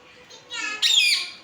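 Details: A pet talking parrot in a Bengali home gives a short, harsh, high squawk that rises into a loud raspy burst under a second long, as its owner asks why it is angry.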